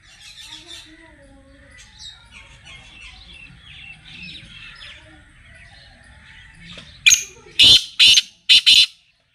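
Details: Black francolin calling on a Friday morning, 10 February 2025: soft chatter of other birds over a low rumble, then five loud harsh grating notes in an uneven burst near the end.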